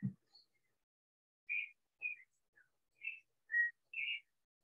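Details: Clay-colored thrush, which sings almost non-stop April to August, singing clear, fluty whistled notes about twice a second in the background at Pierella Ecological Garden, Horquetas de Sarapiquí, Costa Rica, after a brief low thump.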